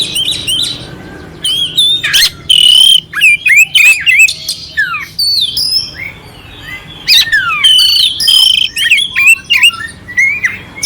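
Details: Clear oriental magpie-robin song with rough fill, meant to stir up an unexcited kacer; rapid sequence of loud whistled slurs, scratchy notes and clipped chirps in short bursts, about three elements per second, with brief pauses.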